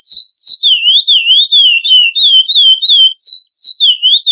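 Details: Curió, or chestnut-bellied seed finch, in classic Florianópolis song for training chicks: pure whistles falling and rising in quick wavy phrases, a few descending sweeps that start higher, delivered steadily in a clean recording.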